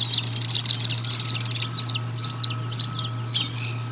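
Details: A rapid, high chitter of short staccato notes from bald eagles at the Decorah North nest during a feeding on 1 April 2022, recorded by a livecam, with a faint low hum behind.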